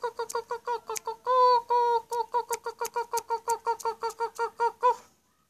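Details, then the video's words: Black-collared starling repeating a steady, even series of short, nasal, ringing notes, roughly four per second, interrupted early by two longer sustained notes, and continuing without pause for about five seconds. "KICAUAN MAUT JALAK SURE"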